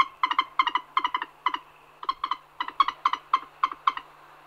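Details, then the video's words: A Common moorhen (Gallinula chloropus) gives a steady series of short, nasal clucking notes bunched in twos and threes, about a dozen bursts in four seconds, with nothing else heard. "Common Moorhen / Gallinula chloropus"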